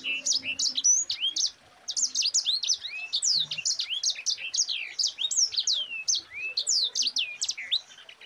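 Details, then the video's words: Mozambique canary (sanger) singing the tight rolling 'ngerol rapat' style meant to teach other songbirds: over eight seconds of rapid, high, sweeping whistled notes with only one short gap. "Suara Burung Sanger Gacor NGEROL RAPAT"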